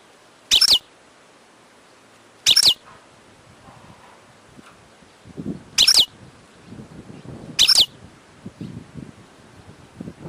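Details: European goldfinch in the wild giving four brief, high twittering call notes at uneven intervals, with low rumbling background noise building in the second half.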